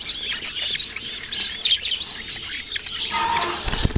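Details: Baby budgies chirping with clear rising and falling whistled squeaks among a steady high chatter, ending in a short burst of low rumbling noise.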